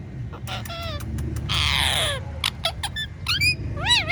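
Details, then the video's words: Pet talking parrot producing clicks, a long rasping squawk and several short wavy whistles, ending in a looping rising-falling whistle, with low background rumble. "Talking Parrot Says Funny Words and Whistles Perfectly"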